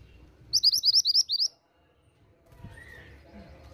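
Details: Pied bushchat hen sounding a call to draw males out: one fast string of about eight piercing upswept chips lasting a second, then near silence with soft background noise.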